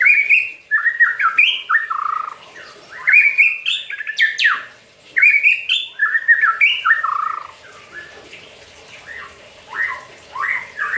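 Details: White-rumped shama (murai batu), a caged bird, keeps singing while bathing in its cage: loud, varied whistled phrases with rising and falling slurs, bursts repeating every second or two, with brief pauses and a quieter stretch near the end.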